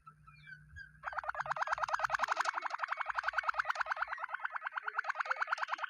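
A Waterslager canary sings a fast, bubbling roll of low, liquid notes, about eight or nine a second, after a brief soft whistle and a faint background hum.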